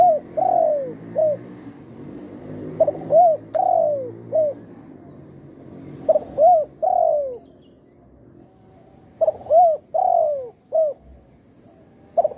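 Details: Tekukur, or spotted dove, used as a trapping lure in the satu kuk or dua gayau song style, giving repeated phrases of hollow, arching coos, a brief note then drawn-out falling coos, about four phrases.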